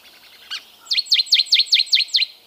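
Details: Canyon towhee song: one sharp high note, then a quick series of about seven bright, downward-slurred chip notes, evenly spaced and steady in pitch, with a faint hiss in the background.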